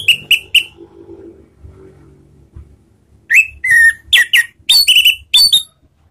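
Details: Orange-headed thrush (Anis Merah) lure song in the ngeplong style for triggering singing: three short whistles, a quiet pause with low background hum, then a fast string of varied whistled and slurred notes.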